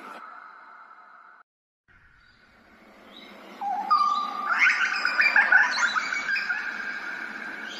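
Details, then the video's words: Grey butcherbird from Australia, recorded in ambisonic surround: a steady held tone breaks off briefly, then rich, fluty, varied notes build up, rising and falling in a lively tumbling phrase that fills the second half. "Grey butcherbird"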